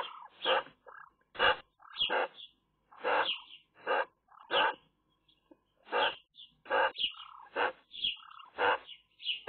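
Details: At a Eurasian magpie nest with a camera, where some chicks die young: harsh, rasping squawks come one after another about once a second, mixed with thin, high, whining notes between them.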